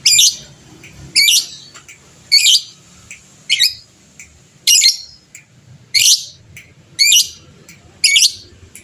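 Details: Fighter lovebird in full voice, meant to stir rival birds into calling back; eight shrill, scratchy bursts repeated roughly every second in an even rhythm over a low background rumble.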